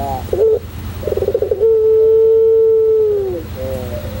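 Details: Tutor recording of a white puter pelung, a Barbary dove kept for its long coo: a short note, then a fast burbling roll, then a drawn-out level hooting coo falling away at the end.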